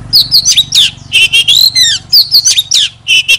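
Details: Loud song of an Oriental magpie-robin used as a lure bird: quick, varied whistled phrases, downslurs and rich chirps, backed by a constant low mechanical hum.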